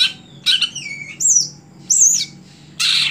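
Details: Greater green leafbird giving a varied song: a raspy note, then a falling whistle, high looping slurred whistles, and a final long harsh squawk.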